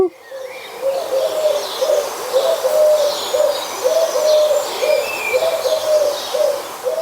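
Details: A Eurasian Collared Dove in a Hampshire, UK garden in 2020 gives soft, low, three-note coos repeated steadily in a cuckoo-like rhythm, with faint high twitters of other birds in the background.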